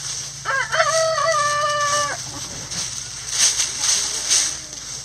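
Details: Chickens in a backyard coop scratching down a pile of leaves; one bird gives a single harmonic crow of about one and a half seconds, rising briefly then held level, over steady hiss and low hum.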